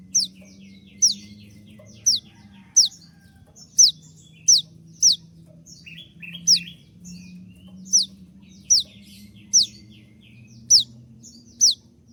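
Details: Konin 'tembakan' song, a master recording for training birds: a long run of piercing, steeply falling high notes, fired every second or so, with softer chips and twitters in between.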